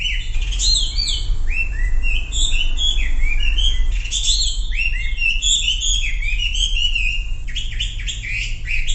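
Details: Sumatran leafbird lure song for making quiet birds join in, a long busy stream of bright chirps and downslurred whistles, ending in sharp rapid notes, over constant low rumble.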